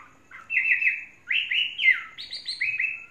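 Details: Chinese hwamei in song, a caged bird kept for three seasons: loud, clear whistles in paired and tripled series, each note slurred, rising and falling, with short pauses between groups.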